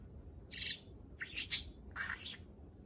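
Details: Pet male budgerigar, eight months old, practising talking, chirps and mixes in learned words: three quick bursts of high, scratchy, warbling chatter about half a second apart, with a faint background hiss.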